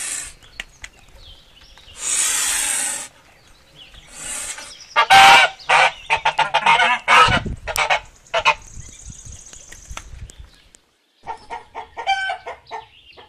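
Loud, harsh goose honks come in an irregular burst of nasal blasts, about two per second, with a noisy hiss and other farmyard sounds around them.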